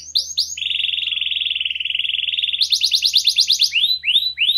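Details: Lively clear-voiced canary, singing to prompt silent birds: brief swoops, a long flat buzzy trill, a higher rolling trill, then rising whistled swoops, with a faint low hum.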